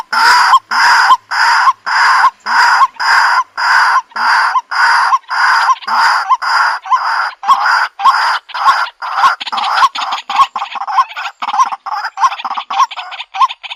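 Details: White-breasted waterhen call from 2021, kept for use as a decoy lure and recorded on a Xiaomi Redmi Note 8 phone: loud, harsh, broadband croaking pulses repeated steadily, nearly two per second, in a dense continuous run.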